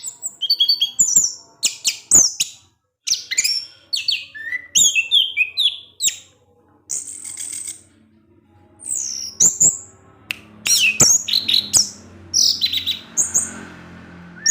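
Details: Orange-headed thrush in evening song, provoking rival thrushes: a long, varied run of quick high whistles, slurred notes and twittering phrases, with a faint low hum in the background toward the end.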